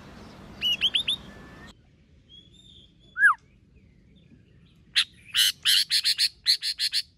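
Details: White-rumped shama in competition singing: a quick phrase of hooked whistles, a lone falling slurred whistle, then a long series of harsh buzzy chattering notes repeated rapidly.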